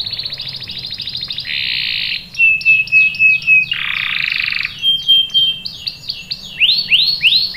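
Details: Canary singing in a lure recording meant to make other canaries answer with rolling song: rapid buzzy trills, long rolled passages, clear high whistled notes, then a run of quick upward-sweeping notes repeated several times.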